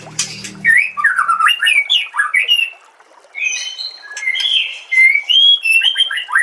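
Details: White-rumped shama song, part of a training compilation: a short low rumble at the start, then lively looping whistles and rapid chatter, a brief pause, and clear, bright, sliding whistled notes.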